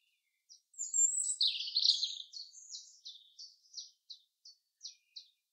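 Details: Common chaffinch in woodland gives a quick rattling, descending phrase, then a series of brief high ticks repeated about three times a second that gradually slow and thin out.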